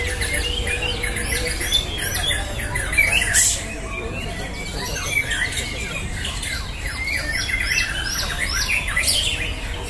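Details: Contest white-rumped shama (murai batu) in a song duel, repeated sharp whistled and clipped notes with a loud burst near the middle, other birds and low background noise around.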